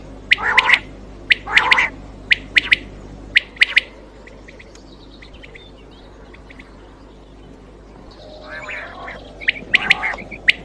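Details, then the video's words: Quail sounds for night hunting: a few seconds of sharp chirps and rasping squawks, a long quiet stretch with faint high notes, then renewed chirping and a rasp near the end, over low hum. "Quail Voice Sounds For Hunting Raat Ki liye Saaf Awazay Quail sounds Batair Ki Awaz"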